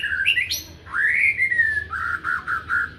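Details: Morning magpie-robin song: a rising whistled slur leading into a sharp high note, then a long rasping, gently falling note, followed by four short, evenly spaced buzzy notes.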